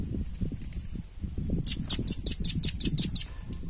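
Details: Velvet-fronted nuthatch recorded for training other birds: after a stretch of low rumbling background noise, a burst of about nine high, sharp chirps in quick succession.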